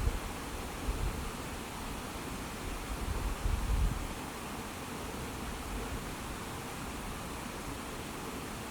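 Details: Steady broadband rushing noise like wind or rain around a rural homestead, with a slightly louder low rumble near the middle and no animal voices.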